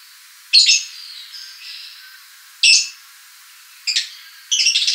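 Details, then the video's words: Lovebird lure calls: isolated harsh, shrill squawks separated by pauses of one to two seconds, ending in a short burst of rapid chattering. "Pancing Lovebird Panggil Ngetik Ngekek"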